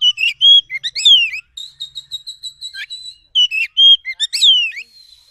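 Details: Oriental magpie-robin (wild kacer hutan) song used as a trapping lure to draw a quick, agitated reply: loud clear whistles, sweeping slurred notes and a run of rapid repeated high chips, in two bursts with brief pauses, no other sounds.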